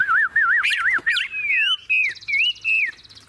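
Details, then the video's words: Caged tame Chinese hwamei, said to sing tirelessly like a machine, gives loud wavering looped whistles and swooping slurred phrases, ending with a high buzzy trill and mellow downslurred whistles. "Họa mi thuần bóng bộ đẹp - Hót như máy"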